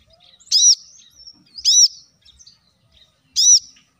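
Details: Plain-throated sunbird, a recording played to trigger singing in leafbirds. Three sharp, down-curving high notes are spaced unevenly, with faint softer twitters between them.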